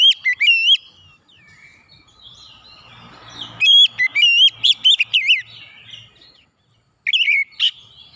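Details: Oriental magpie-robin (kacer) song, loud and powerful, used as therapy to get untrained birds singing: bursts of bright whistled notes with sharp up-and-down slurs, a quieter chattering middle stretch, a brief silence, then a final whistled burst.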